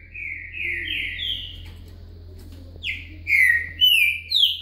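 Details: Green-winged saltator (trinca-ferro) in a singing lesson, "boca mole" song with a "virada" ending: rich, slurred whistles, a quick run of rising notes, a pause, then louder falling and rising whistled phrases; a faint low hum underneath.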